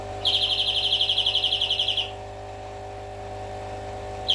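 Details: Greenfinch singing a fast, rolling trill of evenly spaced buzzy notes lasting about two seconds, then a pause, with a constant low hum and faint background noise throughout.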